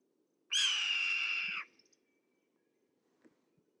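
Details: Red-tailed Hawk giving one hoarse, raspy scream about a second long, high-pitched and rich in overtones, sagging slightly at the end before cutting off; the rest is quiet apart from a faint low hum and a soft tick.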